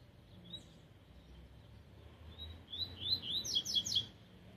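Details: Young double-collared seedeater after moult, song of the tui-tui style delivered 'cold' and unpolished: a few soft high whistles, then a rapid burst of sharp, repeated descending chirps near the end.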